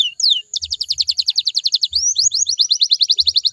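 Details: Canary singing a lure song for other canaries to answer: a couple of falling notes, then a steady rapid trill of high chips, a quick rising slur, and more even trilling, with faint low thumps.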